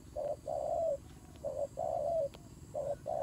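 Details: Low hollow cooing from a turtle dove during a fight, each phrase a short note and a prolonged coo that slides slightly downward, three phrases in close succession.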